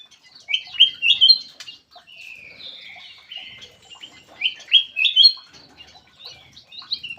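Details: Black-crested bulbul lure call: bright, rapid phrases of slurred whistles and chirps, with clusters of loud notes near the start and again after four seconds, quieter warbling between, in a clear recording.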